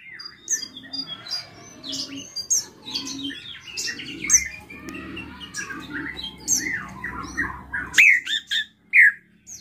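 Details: Drongo (srigunting krantil) singing a lively, full song of varied chirps, squawks and rapid whistled phrases that rise and fall, with sharp high notes toward the end; a low hum runs underneath for most of the recording.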